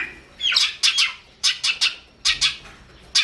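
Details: High, grating notes from a long-tailed shrike, recorded as songbird training audio, come in pairs and triplets of rasping bursts separated by short gaps, starting with a brief downslurred note.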